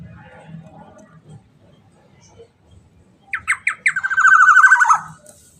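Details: Black-naped oriole, a prized songbird, giving a loud song: a few short rising fluting notes followed by a long rich warbled phrase lasting about a second, with faint background murmur.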